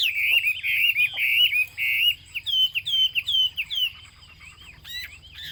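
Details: Chinese hwamei singing a rich run of loud, clear whistled phrases, each note slurring up and down and repeated quickly in varied patterns, with a faint low hum underneath.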